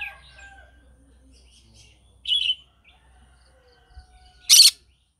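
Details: Green-cheeked conure in the morning, giving a shorter raspy squawk, a quiet pause, then one loud, harsh screech near the end, with faint soft chatter between.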